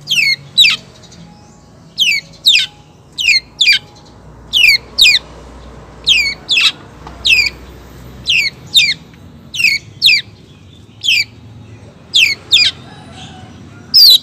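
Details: Long-tailed shrike, female calling for the male: loud, harsh downslurred notes in pairs, repeated about every one to one and a half seconds for fourteen seconds.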